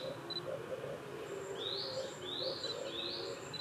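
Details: Male Japanese sparrowhawk with freshly caught prey calls to a female that does not come, in park woodland on 10 May 2021; three rising, slurred squeals in quick succession, with faint thin tones and hum behind.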